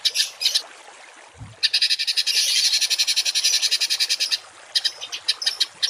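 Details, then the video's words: Rough 'tembakan kasar' songbird song for training cage birds. It opens with choppy chips, then a dense grating rattle for nearly three seconds, followed by scattered sharp notes. One low thump is heard early. "MASTERAN BURUNG TEMBAKAN KASAR || Suara Masteran kasar langganan juara"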